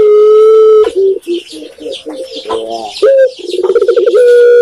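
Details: Spotted dove recorded in Indonesia, locally called tekukur: a long steady low coo, a run of short stuttering notes, a brief higher note, then a quick bubbling roll that ends in another sustained coo.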